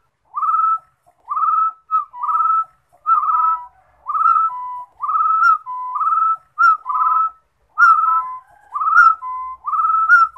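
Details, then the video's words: Rufous-throated partridge song: a steady run of about ten mellow whistled phrases, each a rising slurred note followed by a flat, lower whistle, spaced around a second apart in a quiet setting. "Rufous - throated Partridge # Yij Coj Kum Quajsuab Suab Yij Quaj"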